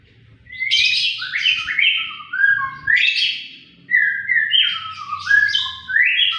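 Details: A white-rumped shama sings hard and sharply, repeating phrases of buzzy rising notes that drop into lower clear whistles, about every one and a half seconds, over a low rumbling background.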